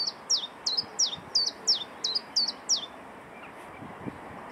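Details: Common chiffchaff singing: seven high, sharply falling notes at an even pace, about two and a half per second, for three seconds. The song then stops, leaving a quiet background with a few faint low thumps.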